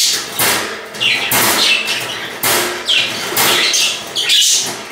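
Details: Pet budgerigar in a home giving loud, harsh squawk bursts about once a second, each a broad rasping blast with a short squeaky tone inside, separated by brief quieter gaps.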